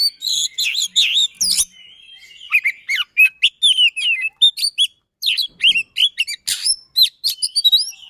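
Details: Dense song of a kept white-rumped shama: quick strings of whistled slurs and harsh notes, a brief lull near the middle, then another fast burst of chattering, overlapping phrases.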